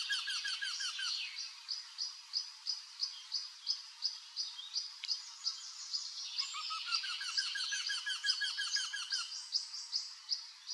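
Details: In Drenthe on 29 April 2024, a courting male Eurasian wryneck calls from an old woodpecker hole to lure a female to the nest. He gives runs of evenly spaced nasal notes, about three a second, while other birds chatter.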